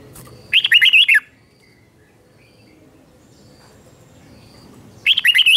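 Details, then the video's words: Red-whiskered bulbul singing a morning training song in the ché style, meant to stir wild-caught birds: one loud, quick warbled phrase of rising and falling notes, then about four seconds of quiet before the next phrase begins. "Luyện chào mào hót sáng 2024, QUÁ HAY - CHÉ KÍCH BỔI CĂNG ĐÉT, luyện chào mào hót căng lửa"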